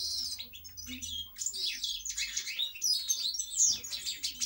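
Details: Bright, rapid twittering song of a European goldfinch. Warbled chirps and buzzy trills run without a break, with a faint low hum at the start.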